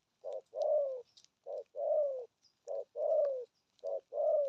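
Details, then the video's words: Spotted dove delivering the 'gù thúc' coo: a steady, regular pairing of a short hoot and a long, gently falling coo, repeated four times at an even pace about every 1.2 seconds. "thuc gù thúc kèm bài bản"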